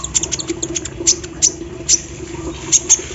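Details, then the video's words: Sunbird called kolibri ninja, set out in morning dew and singing vigorously with embroidery-machine mimicry; quick runs of tiny high ticks, then louder isolated sharp chips, over a low steady hum. "KOLIBRI NINJA GACOR SAAT DI EMBUNKAN PAGI HARI ISIAN MESIN BORDIR"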